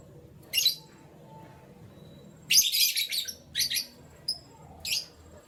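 A canary gives five short bursts of bright, high chirping with a brief clear whistled note in between, over a faint low hum.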